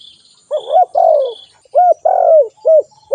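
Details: Spotted dove in a close, rapid run of low coos: arched hooting notes alternate with longer, slightly rough, descending coos. A few faint, high, thin chirps sound early on.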